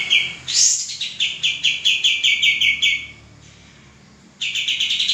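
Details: Singing male common iora, recorded as tutor song for cage birds, opens with an upward-sweeping note, then rattles off a quick series of piercing repeated chips, falls silent about a second, and resumes the rapid chipping.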